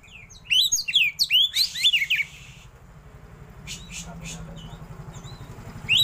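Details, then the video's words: Oriental magpie-robin in 'roll tembak' song with 'isian' fill-ins and an opened tail. Fast sweeping whistles and rasping notes pour out for about two seconds, followed by low background noise, a few faint notes and a final whistle. "KACER ISIAN MEWAH❗KACER ROLL TEMBAK BUKA EKOR"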